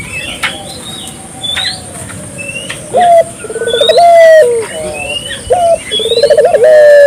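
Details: Lively Barbary dove used as a lure to prompt local doves into calling, giving two rolling coos, each a brief clipped note then a pulsed, wavering coo, while small birds chirp and whistle steadily in the background.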